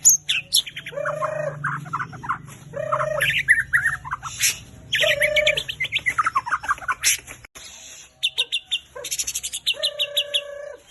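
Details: White-rumped shama lure song for training birds to sing, full of rapid high notes and trills, mixed with a lower hooting call repeated about every two seconds.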